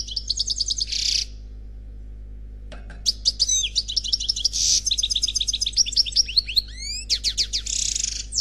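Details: European goldfinch, unpaired bird, singing in the Khalwi style from a CD recording: a fast buzzy trilled phrase, a two-second pause, then a long run of twittering, tinkling notes with rising slurs and dense buzzy bursts, in a quiet indoor setting.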